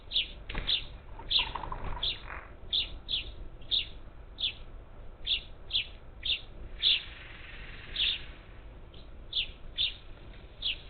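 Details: Up to ten parakeets at a backyard feeder on the edge of Houston, Texas, 27 July 2021; a busy run of bright, high, clipped chirps, roughly two per second, some overlapping, with a brief lower murmur early on.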